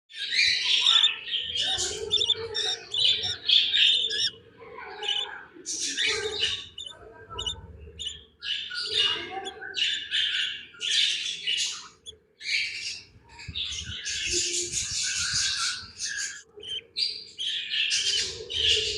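Young budgerigars chirp in a rapid, scratchy stream of high twittering notes.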